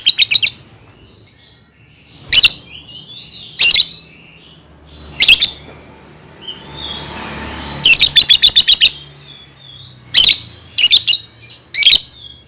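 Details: Lovebird chirping, used to teach young birds to sing: loud, high, harsh chirp bursts in short clusters roughly every one to two seconds, with a longer rapid series near the middle, quiet gaps between.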